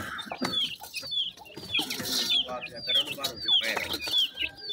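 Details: Feeding grey francolin chicks, called dakhni teetar, give a steady run of sharp, descending whistled peeps, several per second, over scratchy pecking noises and a faint voice.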